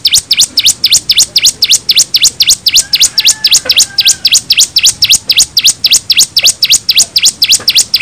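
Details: Bar-winged prinia song used to lure birds into answering: loud, rhythmic high notes, each dipping and rising sharply, repeated about four times a second without a break.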